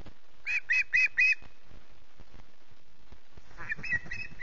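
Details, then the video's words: Osprey chick at Loch Garten, Scotland, screeching with hunger early on the morning of 14 August: a burst of four harsh squeals, a quiet gap, then several more rougher calls. "Hungry1C2's early morning screech-fest"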